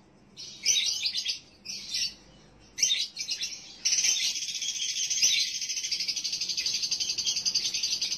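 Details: Lovebird lure call, used to stimulate breeding condition in a male: several short bursts of dense, high, buzzy chatter, then a continuous rapid trill that runs on for over four seconds.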